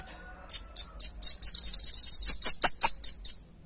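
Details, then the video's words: Velvet-fronted nuthatch, a clear recording of its song meant for luring and tutoring other birds: a fast run of about fourteen sharp, very high chipping notes, roughly five per second, over three seconds. "SUARA PANCINGAN & MASTERAN RAMBATAN PARUH MERAH JERNIH"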